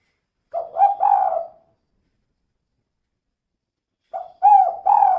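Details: Female spotted dove, calling to prompt other birds to sing: two short phrases of low, hoarse cooing notes, each a quick stutter followed by a longer drawn coo, separated by a few seconds of silence.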